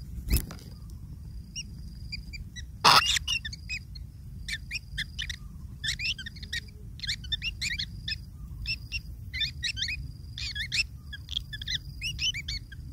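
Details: Long-tailed shrike young being fed by a parent: after two loud knocks, an accelerating run of scratchy, tumbling chirps builds into a dense begging chatter.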